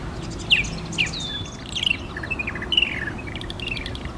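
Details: A purple martin calls at the martin house at FortWhyte Alive in Winnipeg, Manitoba, July 2022; a series of short, falling, gurgling chirps and slurred notes over about three seconds, with low steady background noise.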